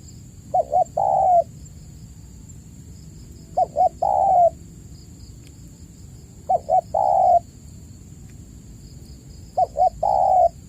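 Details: Spotted dove lure call for stimulating caged cooing doves that have gone quiet. Four evenly spaced phrases, roughly three seconds apart, each with two short notes and a sustained mellow coo. A thin high hum continues throughout.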